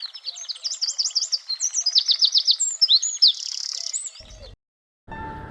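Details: A male Eurasian wren gives its breeding-season song, sung to lure females to the nest he built: a loud, hurried four-second burst of high ringing notes and rapid trills ending in a buzzy rattle, then a faint background hum.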